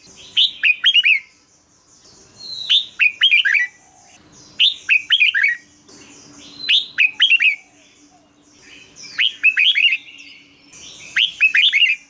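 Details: Red-whiskered bulbul song played to excite birds or use as a decoy: five quick bubbly phrases of four or five downslurred whistled notes, roughly every two seconds, over a faint low hum.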